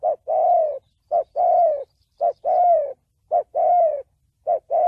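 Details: Thổ bầu style call of a spotted dove, for luring wild doves and training decoys; very regular couplets of a short coo and a longer, gently falling rough note, about one pair per second.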